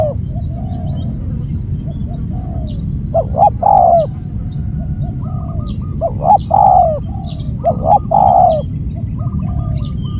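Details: A calling spotted dove gives three loud phrases of two short hoots and a longer falling croon, separated by pauses, while a softer, more distant cooing answers between them. Faint high chirps in the background.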